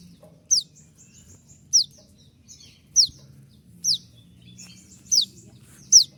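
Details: Konin delivering its 'tembakan' (shot) song for training birds: sharp, very high notes that sweep steeply downward, repeated about every second, with soft twitters between them.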